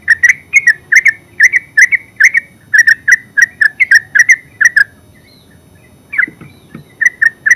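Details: Terucuk, the yellow-vented bulbul, in ngeropel song: a long fast chain of bubbling chirps, then about a second of silence, a soft low knock, and a renewed burst of liquid notes.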